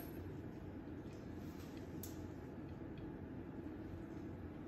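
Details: Steady low rumble like a passing train or vehicle, with faint scattered clicks and no animal call.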